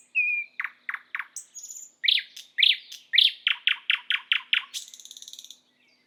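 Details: Thrush nightingale song recorded in Estonia. A whistled note opens a run of loud, rapid, clicking notes in repeated series, some stuttered, closing with a short harsh rattle.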